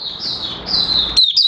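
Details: Oriental white-eye (Mata Puteh Raja) beginning to sing, 30 August 2022, new white plumage almost fully pigmented; a sustained thin high warble that breaks into two quick sharp chirps at the end.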